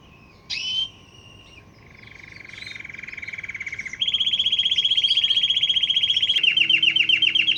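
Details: Canary singing, its song drawing dozens of wild canaries, goldfinches and other wild birds; after a short chirp, a soft low trill gives way to a loud, fast, even rolling trill repeated several times per second, rising to a higher roll.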